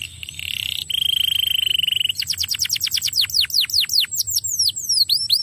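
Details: Canary song played to lure a quiet canary into singing again: a steady high trill, then rapid repeated descending whistled sweeps that grow longer and looser, with a faint low hum underneath.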